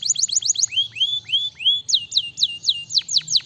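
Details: Quick canary phrases: fast falling chips, then slower arched whistled notes, then loud downward-sweeping whistles repeated about three times a second.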